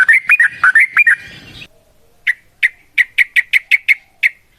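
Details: Yellow-vented bulbul in a long fighting song serving as a lure: fast looping whistles at first, then a silent gap and a series of sharp separate chips, roughly three a second, speeding slightly.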